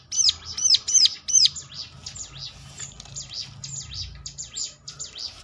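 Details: Ciblek lure song intended to trigger replies from other ciblek: three loud arched high notes open, then softer, rapid high twittering continues over a low murmur.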